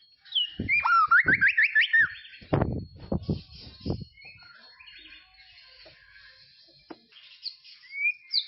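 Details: White-rumped shama in tropical forest gives a quick series of looping whistled phrases, followed by several loud low thuds or knocks and a quieter stretch of faint twittering with a final rising whistle.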